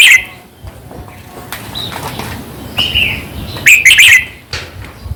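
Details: Played to stir up caged birds, a red-whiskered bulbul gives a loud chirp at the start, soft whistled notes in the middle, then a vigorous burst of bright, jumbled warbling.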